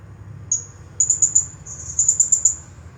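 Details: Shrill, very high chattering from a champion blue-crowned hanging parrot in 'nagih hutang' style: one sharp note, then a run of four rapid ticks and a longer trill of fast high pulses.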